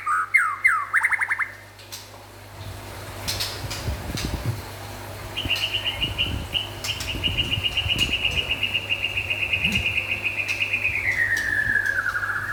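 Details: Lively song of a local and forest-type white-rumped shama: a few brief slurred notes, a quiet pause, then a long steady buzzy trill of about six seconds that ends in a falling slur.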